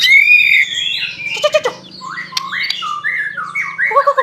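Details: Aceh white-rumped shama singing a rich, varied song: a loud sliding whistle, then clicks and a string of rising and falling whistled and warbled phrases, with a steady low hum behind.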